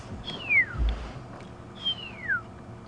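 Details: Pearl-spotted owlet calling at sunrise on 21 August 2015 on a safari drive: two clear, high whistles sliding steeply downward about a second and a half apart, over a low engine rumble.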